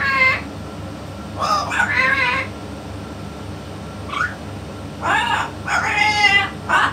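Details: Yellow-naped amazon parrot, described as a top-grade 'king' bird, talking alongside a parrot expert; several harmonic, voice-like phrases in bursts with pauses between, over a steady low hum.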